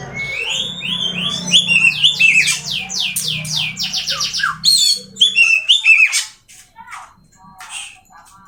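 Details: An Oriental magpie-robin in Indonesia sings fast series of downslurred whistles, about two per second, mixed with sweet whistled phrases, over a low background hum that stops partway through.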